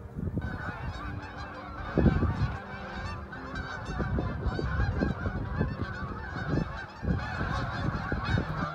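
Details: Flocks of geese passing over Lake Okabena, Worthington, Minnesota: dense overlapping honking from many birds, a steady clamour with louder bursts near the two-second mark.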